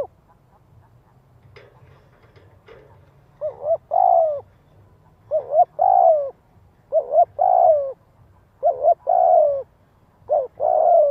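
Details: Decoy spotted dove giving its 'giọng hạp' luring call to draw in wild doves: after a few faint clicks and a quiet opening, five mellow two-part coos arrive steadily, each a brief note then a longer falling coo, with a low background hum.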